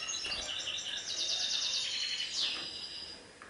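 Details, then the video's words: European goldfinch, Serfati Tiwawati song: high twitters leading into a fast, metallic pulsed trill and a descending sweep, over steady background hiss. "تغريد حسون سرفاتي تيواواطي"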